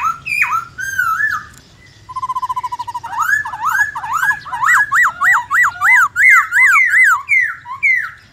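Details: White-browed laughingthrush in forest-voice, many-voiced song: varied opening whistles, a buzzy rattle, then a long energetic series of zigzag whistled notes repeated about twice a second.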